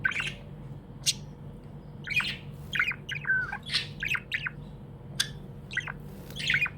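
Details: Contented pet budgie chatters continuously: raspy chirps, clicks and a brief warble, crowded into quick bursts over a constant low hum.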